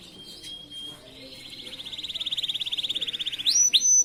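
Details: Canary master song used to train other canaries, opening with a thin steady whistle, then a long accelerating pulsed trill that grows louder, finished by two sharp rising whistled notes.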